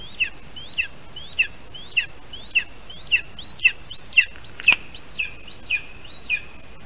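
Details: Lesser spotted eagle (Clanga pomarina) at a Latvian nest, 25 July 2019 around 1:24 PM, as the adult male brings the chick a vole: a series of high, thin, slurred yelps about two a second, with one sharp knock midway.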